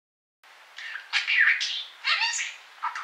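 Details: Disco, a pet parakeet, chatters in quick, scratchy bursts of mimicked speech ("you sank my battleship", "baby bird") with squeaky rising and falling syllables and buzzy notes, while snow falls outside in the Nemo storm, 8 Feb 2013, traffic passing.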